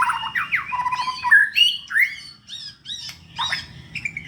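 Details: Captive white-rumped shama, a lively singer readied for a song contest, delivers a rapid, varied run of whistled, slurred and chattering phrases, some sharp upward sweeps, over a steady low background hum.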